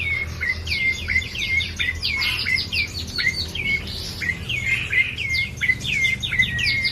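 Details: Bar-winged prinia in continuous song: clear chirped notes, each sliding down then flicking up, delivered in a fast even series of about one and a half per second, with a few higher buzzy notes mixed in.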